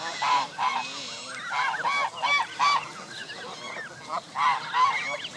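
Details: Canada geese gathered with many goslings at a park lake in late May; repeated nasal honks around one kilohertz come in quick irregular bursts, about three per second, with several birds overlapping.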